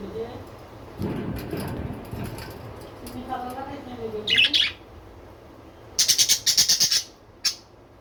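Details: Pet budgerigars: murmured low voices and soft sounds at first, then loud, harsh, rapid squawking chatter in a burst of about a second, followed by one more sharp squawk.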